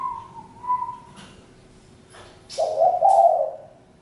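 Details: A higher, smoother whistled tone opens, then after a pause of background quiet a spotted dove delivers one low, rough cooing phrase.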